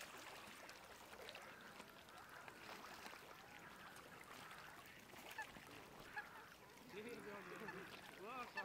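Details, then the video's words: Ruddy shelduck at Zbilje lake, 20 January 2024, giving nasal, honking calls in short bursts toward the end, over a steady murmur of distant waterfowl chatter. "Tadorna ferruginea RJASTA KOZARKA"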